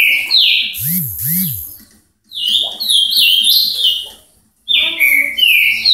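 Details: Ultramarine grosbeak (azulão) song, labelled Paraná: short bright whistled phrases sliding downward, given in two bursts separated by a brief pause, with faint lower sounds and a short harmonic tone in the background.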